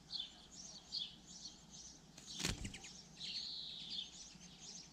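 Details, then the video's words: Common linnet singing: faint, high twittering phrases of quick chirps and short buzzy notes, given in bursts through the recording, with a brief loud thump or rustle in the middle and low background hum. "Konopka obecná"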